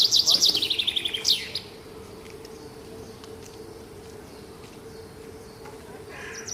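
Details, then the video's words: Morning bird song: one bright, high phrase of quick notes slurring downward into a rapid descending trill and ending with a sharp upswept note, then near silence over a low, steady hum. "Таңкы чымчык сайроосу"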